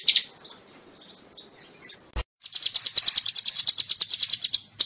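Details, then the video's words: Bar-winged prinia, called ciblek gunung, used as a master song for training magpie-robins: first a series of quick high descending chirps, a sharp click, then a fast regular stream of high pulsed notes repeated rapidly. "Suara ciblek gunung|master tembak murai"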